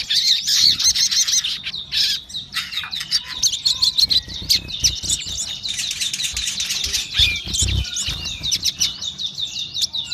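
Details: Sogon singing vigorously: a dense, fast stream of high chattering and trilled notes, about three per second, with short buzzy bursts mixed in.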